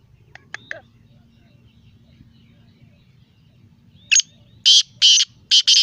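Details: Black francolin, called teetar locally. A few faint thin notes at first, then after a quiet pause a series of loud, harsh, rasping bursts roughly every half second.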